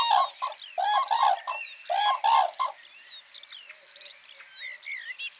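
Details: Breeding-season common cranes in spring courtship give two pairs of loud, throaty trumpeting bursts, after which fainter whistles and twitters of small songbirds carry on.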